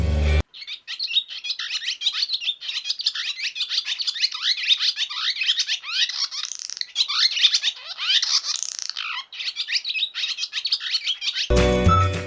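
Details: Barn swallow (Hirundo rustica) in Sri Lanka giving a fast, continuous twittering of high chirps and short downslurred notes with brief buzzy trills; short bursts of other sound open and close it. Finding: Barn swallow.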